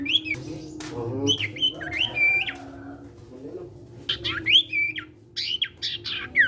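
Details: Lively sirtu bird in full song, meant to get other sirtu birds singing; sharp squawky notes and bright whistled slurs around two to four thousand cycles, delivered in uneven bursts over a steady low hum.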